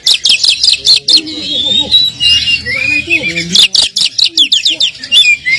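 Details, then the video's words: Oriental magpie-robin (kacer) lure song used to stir a listless bird into replying: quick sharp high chirps in clusters, a softer warbled middle stretch, then more clipped notes, with low speech-like sounds underneath. "pancingan kacer kurang emosi,dijamin langsung nyaut"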